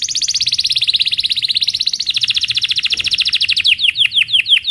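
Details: Belgian canary singing in the morning, a rolling cuit-cuit song used as a lure to teach young canaries; a long, very rapid high trill of pulsed notes shifts pitch midway, then ends in slower, sharply falling chirps.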